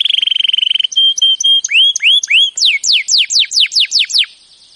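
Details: Canary training song: a rapid fine trill, short spaced whistled pips, rising looping notes, then a run of loud downward-swept whistles ending in quiet.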